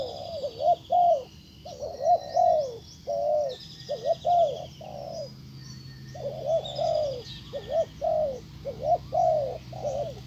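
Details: A spotted dove gives soft, low cooing notes in quick repeated phrases, possibly a decoy bird luring wild doves, with faint high chirps of small birds in the background.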